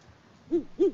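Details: Great horned owl pair on a Peabody, Kansas farm camera in February, hooting to each other: two short, low, soft hoots in under a second after a quiet start.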